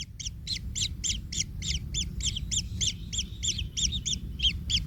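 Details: Kingfisher chick in the nest, said to be in pain after being trodden on by its parent; rapid, regular harsh double-noted calls repeated about three times a second throughout, over a steady low rumble.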